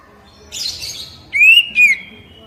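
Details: Oriental magpie-robin song used as training audio to stimulate wild-caught captive birds to answer and sing: a short buzzy, scratchy burst, then two clear, slightly rising whistled notes, the second quickly following the first.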